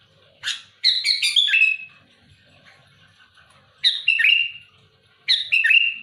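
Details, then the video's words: Loud, active sooty-headed bulbul challenging rivals. It gives a bubbly, clipped phrase of rough and whistled notes ending in a drawn-out slurred tone, then repeats shorter versions about every one and a half seconds. "Suara burung kutilang gacor keras aktif menekan lawan muntahin isian besetan kasar keras pedas"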